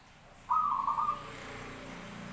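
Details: One brief rolling coo from a Zebra dove, a soft trilled note held steady for under a second and tapering off, followed by low background noise.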